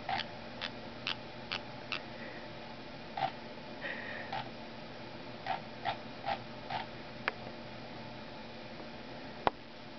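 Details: A female pet parrotlet mimics the ticking of her owners' scrolling mouse wheel, her first identifiable imitation, fluttering her wings with each one: short dry clicks, some evenly spaced about half a second apart, others bunched in quick runs, in a quiet room.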